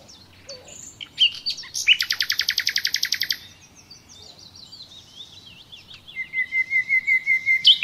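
A common nightingale sings varied phrases: sharp chirps, then a loud rapid chatter of about fifteen notes, thin whistles, and a fast rising repeated trill.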